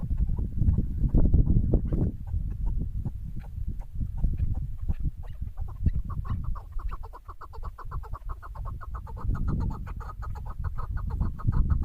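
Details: Female chukar partridge heard during bird hunting. A loud low rumbling opening, then a long rapid sequence of short clucking notes from about the middle onward.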